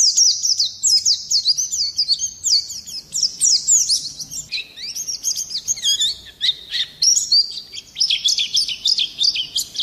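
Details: Oriental white-eye singing vigorously in the 'ngerol nembak kasar' style, a rolling, harsh, shooting delivery used to provoke other birds; high, rapid twittering phrases of sliding chirps run almost without pause for ten seconds.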